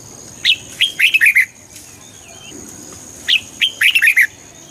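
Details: Red-whiskered bulbul, song played to excite birds: two similar cheerful phrases of a few liquid, warbled whistles, each starting with a high note and ending in quick downslurs, separated by quiet, with a thin steady whine.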